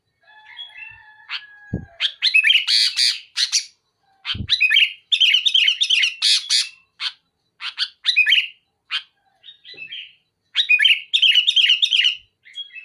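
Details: Sooty-headed bulbul in full chatty song against a rival: long sequences of fast whistled notes and loud harsh rasps, broken by short pauses, with a couple of faint low thumps.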